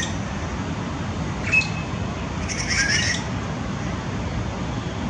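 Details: On 21 February 2018, a flock of grey treepies mobs a male and a female hawk in a flame tree. The treepies give a brief harsh squawk, then a rasping burst a second later, over steady low rumbling.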